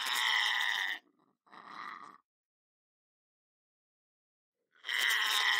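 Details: Male lorikeet kept as a pet in a house, giving a loud, rasping screech, a softer shorter one, a pause of over two seconds, then another loud harsh screech.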